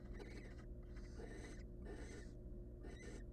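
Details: Wild barn owl chicks in a nest box, hungry and begging for food: rasping, breathy screeches come in four long drawn hisses, one after another with short gaps, over a constant low hum.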